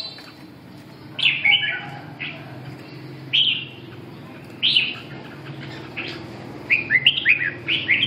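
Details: Red-whiskered bulbul singing short warbled phrases that slur down and up, given in separate bursts near 1.3, 3.4 and 4.7 seconds, then a quicker run of notes at the end over a steady low hum.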